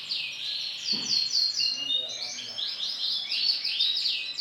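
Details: Bright lemon-coloured male canary in full song: dense rapid trills and rolling chattering phrases with short whistled notes, delivered continuously at high pitch.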